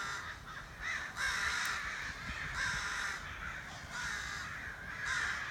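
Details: Crows outside a back door give spaced, hoarse caws, four or five drawn-out notes against a soft background rumble.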